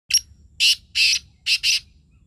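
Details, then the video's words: Black francolin, known as kala teetar, giving a loud, harsh, grating call of five rasping bursts: a short first note, then two longer ones and a quick final pair, over a quiet background. "Kala teetar ki awaz"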